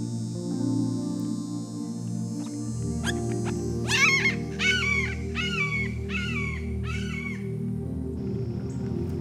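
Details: Red-shouldered hawk (Buteo lineatus), extremely common at Circle B Bar Reserve, Florida, recorded in 2018, gives its trademark screech: five loud, ringing, down-slurred screams under a second apart, over soft background music.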